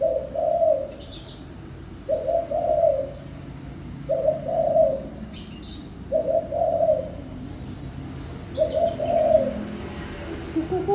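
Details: Spotted dove singing: five low, soft cooing phrases, each a short run of hollow notes, repeated about every two seconds with quiet gaps between them. Faint, brief higher chirps from other birds are also heard.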